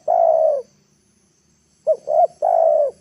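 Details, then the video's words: Spotted dove used as a trapping decoy, calling so wild birds descend to the ground. A long mellow coo tail, a pause, then one complete phrase of two quick rising notes and a sustained falling coo. "TEKUKUR PIKAT NEKAN,AGAR BURUNG LIAR TURUN TANAH"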